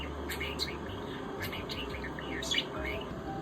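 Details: A pet budgerigar, its owner's only talking budgie, chatters in quick, scratchy chirps and warbles that blur into mimicked speech.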